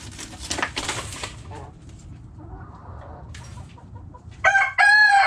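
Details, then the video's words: Backyard chickens: faint clucks and rustling, then a loud harmonic rooster crow bursting in near the end, starting with a short note before a sustained tone. "Hens Clucking Roosters Crowing!"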